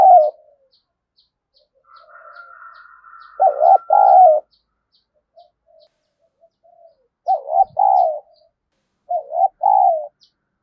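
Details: Spotted dove decoy cooing to provoke a fight: several loud paired coos, short then longer, with fainter coos from another dove and a high steady whistle-like tone early on.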